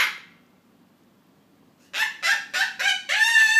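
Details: Triton cockatoo kept as a pet and mimicking laughter during a comedy: a short raspy note fades, then after a silence comes a string of four harsh chuckling syllables rolling into a sustained screech.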